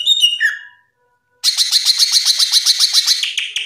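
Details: Masteran song of a nationally top-ranked greater green leafbird: a brief whistled phrase, a pause, then a rapid, buzzy rattling trill of evenly repeated notes, almost four per second, lasting over two seconds.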